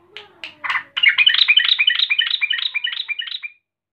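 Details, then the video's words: Female yellow-vented bulbul calling to a male: a few scratchy opening notes, then a steady run of quick, bright, slightly descending chattering notes that stops abruptly. "Trucukan BETINA NGAMUK GARUDA memanggil JANTAN"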